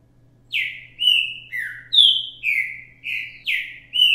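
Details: A captive green-winged saltator, recorded live as a model for teaching young birds, sings a rich run of clear, loud whistled notes, some sliding downward, about two notes a second, over a faint low hum.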